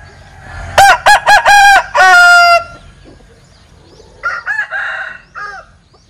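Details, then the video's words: Linh Ke chicken with a strange crow: four loud, clipped harmonic bursts run into a longer held note, then a quieter, choppy answer about two seconds later, with light bird chirps in the background. "Tiếng Gáy Độc Lạ. Gà Linh Kê/ Strange Crow Sound"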